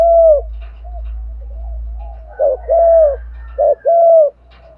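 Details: Decoy cooing of a spotted dove for luring wild doves. A low droning hum fills the first half beneath a single coo. Then two short-long coo pairs follow clearly.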